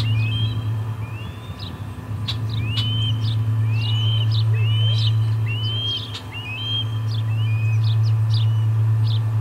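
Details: Osprey calling at the Charlo nest during the third fish delivery of the day, 23 August 2020: insistent rising whistled notes in a fast steady series, a few clicks, and a persistent low hum.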